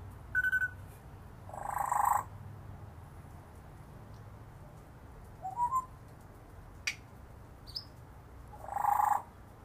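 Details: African grey parrot giving scattered vocal sounds: short clear whistled notes, broad harsh squawk-like bursts, a quick rising chirp and a sharp click, separated by quiet pauses over a steady low hum.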